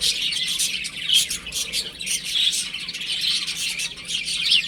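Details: Baby chicks playing at home, giving a dense chorus of high, thin chirps and peeps overlapping continuously, with brief short squawky notes among the cheeping.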